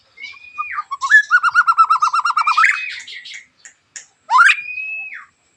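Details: Caged white-rumped shama, a singing bird played to provoke other shamas into singing, delivers a sharp, harsh song: long steady whistles, then a fast run of about fifteen rolling notes, ending in a rising sweep into a held whistle.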